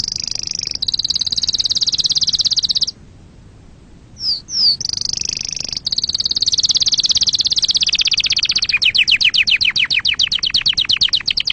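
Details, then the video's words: Canary song used to teach chicks and for mating: long, very high, buzzy rolled trills, a short pause, a few quick rising whistled slurs, more rolls, then a closing run of slower, distinct sweeping notes. "تغريد كناري أصلي لتعليم الفراخ وللتزاوج وتهييج طيورك"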